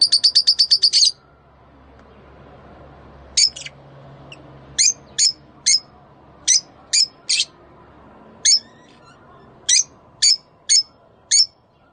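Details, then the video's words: Breeding-stimulation calls of Rosy-faced and Fischer's lovebirds: a fast stuttering run of sharp chirps opens, then single and paired shrill squeaks follow at irregular intervals over a faint background hum. "أقوي صوت لتزاوج طيور الروز والفيشر"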